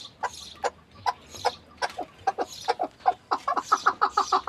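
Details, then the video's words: Chukar partridge giving uneven clucking notes that quicken toward the end into a rapid run of chuck calls. "Muhteşem keklik sesi"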